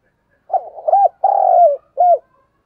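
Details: Lure call of a spotted dove used to draw in wild doves, one clean cooing phrase: a brief burbling start, a rounded coo, a long drawn-out note sliding slightly down, and a clipped closing coo, nothing else heard.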